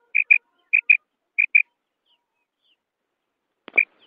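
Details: Female common quail giving three quick pairs of high, clipped notes, then a pause and a single note preceded by a sharp click.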